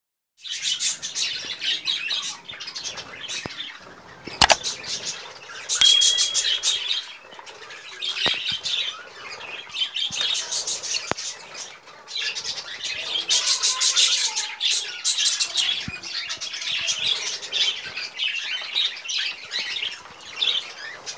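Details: Rainbow-variety budgerigars kept in Delhi chatter constantly in a dense mix of high chirps, warbles and scratchy squawks.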